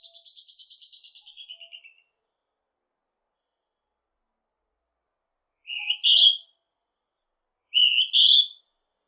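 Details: Northern hawk-cuckoo with two shrill two-part whistled phrases, the second note pitched higher, preceded by a separate descending rapid trill that fades out.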